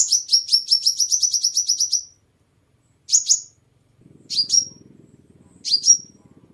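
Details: Sunbird song used as a lure to attract birds: a fast run of about a dozen sharp high chirps over two seconds, then three short clusters of two or three down-slurred, very high notes, with faint low rumble.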